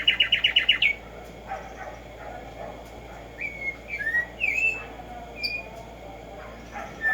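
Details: Black-striped sparrow song opens with a rapid burst of clipped repeated notes, then softer sliding whistles spaced across the seconds that follow, over low background noise.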